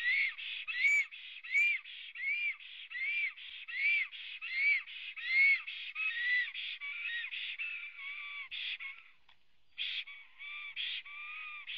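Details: Black stork singing as it arrives at its Latvian nest, 23 June 2017 at 09:23, captured by a nest webcam: a long rhythmic chain of hoarse bursts and arched whistles, close and loud, fading then resuming.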